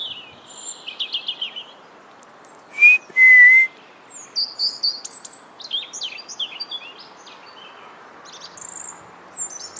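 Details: A red-breasted male European robin sings a wistful, varied song of quick, high, tinkling and trilled fragments in rapid succession. Near the start comes an intrusive loud pure whistle, brief then held and slightly falling. Soft background hiss.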